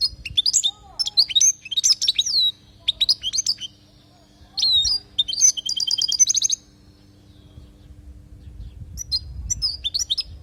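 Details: Palestinian European goldfinch singing 'lugha' style, recorded to teach fledgling goldfinches: lively bursts of high, tinkling twitters and slurred whistles, including a fast ringing trill. Phrases are separated by short pauses, with a quieter stretch late on and faint low background noise.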